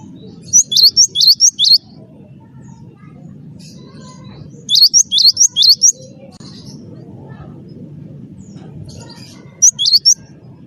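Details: Java sparrow (gelatik batu wingko) singing as a prompt for other birds: three quick bursts of four or five high, bell-like piping notes, separated by pauses, over a steady low hum.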